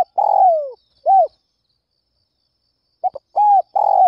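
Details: Spotted dove cooing at dawn to draw in other doves. A long, wavering falling coo and a short note are followed after a pause by clipped coos and another sustained coo. The setting is quiet.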